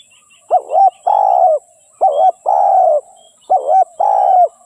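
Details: Spotted dove giving repeated coo phrases roughly once a second: a clipped two-part coo then a long, rough, level-to-falling coo, with faint high chirps of other birds and a constant high whine.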